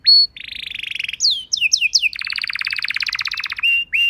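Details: Canary singing a master song for training other canaries: a clear opening whistle, a buzzy trill, three loud descending slurs, then a long fast rolling trill and a closing rising note.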